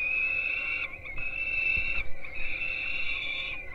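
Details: Peregrine falcon nestlings at Gdynia, Poland, getting breakfast at dawn, 4:21 am, live nest camera: continuous high, nasal wailing in three long bouts, with soft low knocks and bumps beneath.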